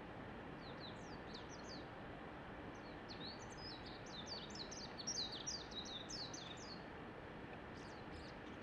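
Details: Japanese white-eye song from a neighbour's tree, a long run of quick, high-pitched chattering and twittering notes that continues almost without pause through the clip against constant low background noise.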